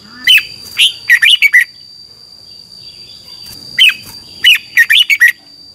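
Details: Thai cage-kept red-whiskered bulbul performing 'double' song for note-count training. Two energetic phrases of five or six ringing, chirpy whistles, about three and a half seconds apart, with a constant high-pitched whine underneath.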